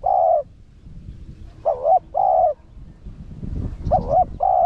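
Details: Spotted dove singing in the 'Rặc Đồng' voice style, used to lure wild doves: three cooing phrases, each a short wavering note then a longer steady low coo, over soft background rumble.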